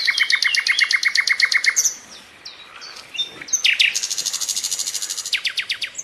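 Bright, high chirping from small birds: a fast run of repeated sharp notes, a short pause, then more varied tweets and a quick trill of chips.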